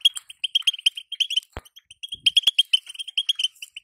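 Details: Quick, insistent high chips from a female European goldfinch, her batbata call for rousing a caged male into song, repeated several times a second, with two sharp clicks in between.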